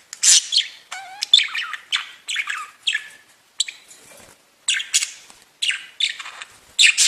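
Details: Budgerigars kept as pets chirp and squawk in short bursts, with a brief falling whistled note early on, rasping chatter, and loud harsh calls separated by short silences.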